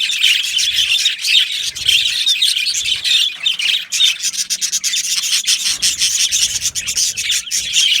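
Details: Yellow male budgies chattering in an aviary colony, busy high warbling chirps with rasping, scratchy textures and clicks, a short lull near the middle before resuming.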